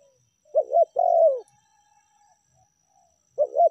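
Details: Lure call of a spotted dove (tekukur), meratus or melambung style: one full phrase of two short coos and a long sinking coo, then a quiet gap before the next phrase begins.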